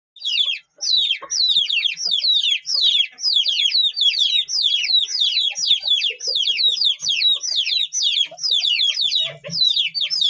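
A crowd of Aseel chicks peeping nonstop: shrill, high, downward-sliding cheeps overlapping several per second, with faint low bumps beneath.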